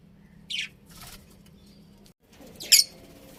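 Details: Pet budgerigars: a bright descending chirp, a soft rustle, then a loud scratchy squawk-like chirp near the end, heard against a faint constant hum.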